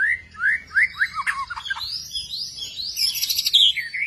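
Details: Long-tailed form of white-rumped shama, kept as a songbird, delivering a string of rising slurred whistles followed by higher trilled, tumbling notes, clear and loud over quiet low background noise.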